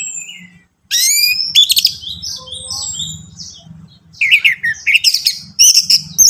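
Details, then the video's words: Song of an orange-headed thrush, used to prompt a caged bird to sing: a sweeping high whistle, then a rapid jumble of twittering notes and falling slurs in a stuttering rhythm over a low steady hum. "Merangsang ANIS MERAH Berani Bunyi, Saat Diputarkan Kicauan Ini dalam Beberapa Menit."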